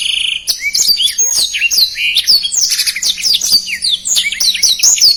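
A black-throated canary sings a fast, dense, unbroken stream of high twittering notes, sweet slurred whistles and buzzy trills packed tightly together.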